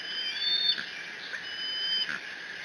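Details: Young bald eagle at the Decorah nest cam, 30 June 2017, mantling a fish its father just brought: two thin, high whistled squees, each drawn out and level, separated by a short pause.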